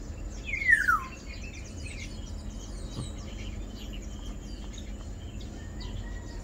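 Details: Black-naped Oriole (Oriolus chinensis) calls once: a strong, rasping downward slur near the start, followed by seconds of quiet background with soft, distant chirps and insect buzz.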